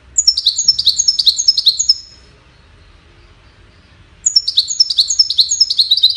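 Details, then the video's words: Goldfinch singing in courtship and communication, two matching bouts of rapid, cascading, tinkling high notes about two seconds each, separated by a two-second silence. "Witness the Majestic Goldfinch Singing"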